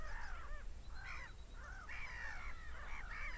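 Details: Quieter, more distant seagull screams: separate curved, yelping cries at first, then a busier cluster of overlapping calls, over a soft low hum.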